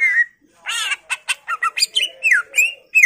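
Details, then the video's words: Greater green leafbird singing at high intensity, a provoking song to get silent birds to sing, full of varied fill phrases: a whistled opening note, then a quick series of sharp chips, slurred whistles and warbled notes, bright and rapid. "PANCINGAN CUCAK IJO Macet Bunyi / Masteran Cucak Ijo full isian"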